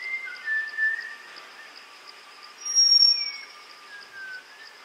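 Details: Wild Malabar whistling thrushes gathering at a forest water hole in Tamhini, Western Ghats, India, in hot May; drawn-out gliding whistles, some fainter and distant, sliding down in pitch, with a constant high pulsing insect buzz behind.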